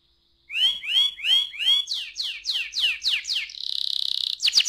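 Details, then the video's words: Canary 'ngerol' song, used to stimulate other canaries to sing: evenly spaced rising whistles, then a run of high downslurred notes, a buzzy sustained trill, and a final few sharp notes. "KENARI NGEROL AMPUH BUAT PANCINGAN KENARI"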